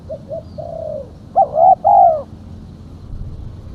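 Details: Female spotted dove used for luring: quiet short coos, then a loud, throaty two-part coo with a slight rising roll. Low background hum throughout.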